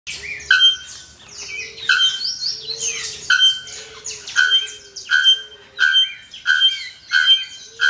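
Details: Bare-throated bellbird (Procnias nudicollis) striking loud, metallic, anvil-like clangs like a blacksmith's hammer, repeated roughly every second, over a busy background of chattering, squeaky calls from other birds.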